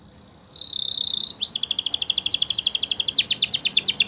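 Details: After a moment of quiet, a Belgian canary sings a bright, steady trill, then a rapid rolling series of stacked notes that breaks into quick downslurred syllables.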